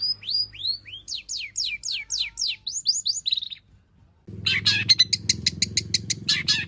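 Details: Cendet, or long-tailed shrike, delivering varied imitated song meant as a lure to get other shrikes singing: a run of clear downward-sweeping whistles, then a pause and an abrupt cut to harsh, buzzy repeated bursts over a low rumbling background.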